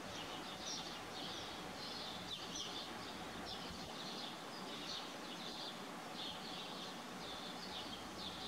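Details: Barn swallow giving high, quick twittering chirps in short bursts, repeated throughout, over a steady hiss of background noise.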